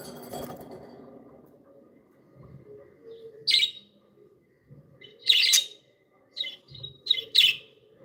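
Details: Joyful pet budgies: after a brief rustling start, loud scratchy chirps arrive in irregular bursts, some paired closely, with faint warbling between them.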